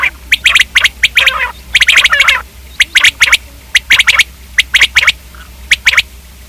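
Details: Common quail giving rapid volleys of sharp clicky notes, thickest in the first half with a brief harsh rattle, then thinning to single pairs.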